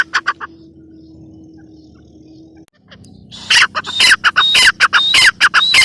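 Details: Female grey francolin (teetar) calling in two parts: a few short harsh notes, nearly three seconds of low hum only, then a renewed fast series of grating whistle-topped calls.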